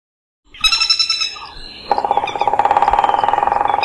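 A woodpecker gives a fast, even rattle of sharp notes, about fifteen to twenty per second, right after a voice says the bird's name.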